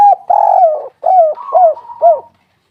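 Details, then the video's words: Spotted dove giving a melodious cooing phrase: a long throaty coo that slides down, then three shorter arched coos, with a faint higher thin note running beneath. The background is otherwise silent. "Tekukur derkuku gacor pol suara merdu"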